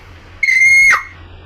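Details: Pet hill myna, prompted by its owner to call, gives one loud, steady whistle held about half a second, ending in a quick downward slur, with low hum beneath.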